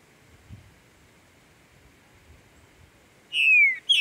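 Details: Green-winged saltator (trinca-ferro) singing intensely during tournament and breeding season on a walk in the bush. Near silence, then one loud, clear whistled note slurring downward, with a second note beginning at the very end.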